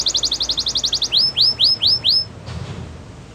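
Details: Belgian canary warming up and getting ready for females: a fast even trill of short notes, followed by five drawn-out rising whistles, then quiet room noise.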